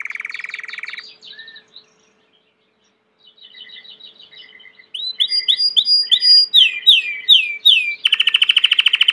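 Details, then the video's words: Belgian canary in full song: a low rolling trill, soft twittering, then loud repeated falling whistled notes and a closing rapid trill. "COMO FAZER SEU CANARIO CANTAR MUITO 20 MINUTOS DE CANTO"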